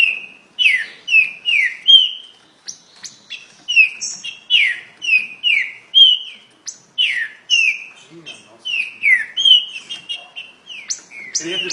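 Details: Very fast song of a green-winged saltator, known locally as trinca-ferro: a long, rapid run of bright, slurred whistles, each note dropping in pitch, repeated almost without pause with high sharp accents between them.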